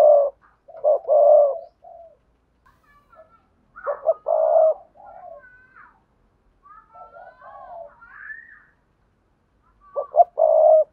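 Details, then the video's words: Spotted dove calls in the sa thúc, gù and gáy styles used to lure wild doves: deep coo phrases at start, middle and end, with thin rising whistles from other birds between them. "Tiếng cu gáy cườm sa thúc + gù + gáy gọi kích bổi hiệu quả"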